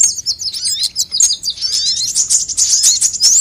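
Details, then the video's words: ['Mixed sunbirds in a lure recording for drawing birds and making them call: a fast stream of high, sharp chirps and twittering trills, with a few lower slurred whistles and a rising squeak at the end.'] "suara pikat semua jenis burung kolibri"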